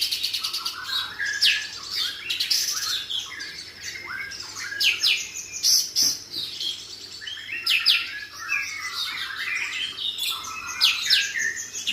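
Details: Continuous song of a white-rumped shama, kapas tembak style, performed with tail fanned, meant as a tutor recording: varied sweet whistles, upward slurs and fast buzzy trills tumbling together without pause.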